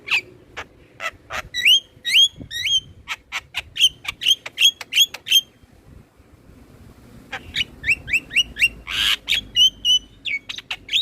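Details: Captive Black-winged myna song meant to get other birds singing: long runs of sharp clicks and downward-bending whistled notes, repeated briskly, with a pause midway and one harsh squawk, over faint background hum.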